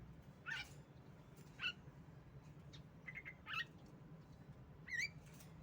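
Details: Female Javan myna used as a lure to make other birds sing: short harsh squawky notes with sharp whistled upslurs, spaced about a second apart, over a steady low hum.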